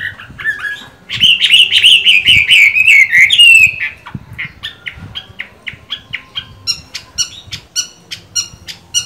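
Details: Chinese hwamei with green-bean eyes in moult, singing in a cage: a few whistles, a loud sustained trilled warble, then a long series of quick, evenly spaced short notes.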